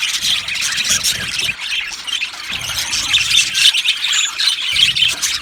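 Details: Budgerigars chirping in an aviary colony, rapid squeaky chatter and short rasping squawks from several birds overlapping, with a few thin whistled notes standing out.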